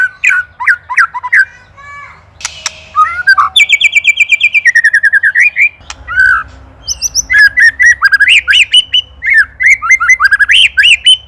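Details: White-rumped shama from Indonesia, ketrekan master for training songbirds; quick varied whistles, a scratchy burst, a fast rattling series of high chips, then rich warbling phrases over a low hum.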